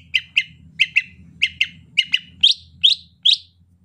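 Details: Rainy-season greater green leafbird delivering soft 'ocehan lemas' song. Quick doubled chirps repeat in pairs, then three louder rising notes close the phrase, over a low rumbling hum.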